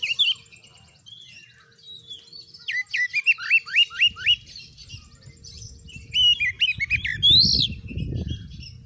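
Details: Strong oriental magpie-robin song played to test other birds' nerve and make them fighters: varied whistles, then a fast train of sharp rising slurs, and further chattering phrases, with a low rumbling noise late on.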